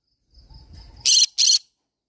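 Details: Green-cheeked conure parrot making a single harsh two-burst screech after a faint low rustle and a thin whistle.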